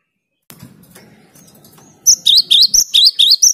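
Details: Cinereous tit (gelatik batu) in vigorous, clear song. A soft low rumble and faint chirps come first, then a burst of loud, high, sharp repeated double notes, about four per second.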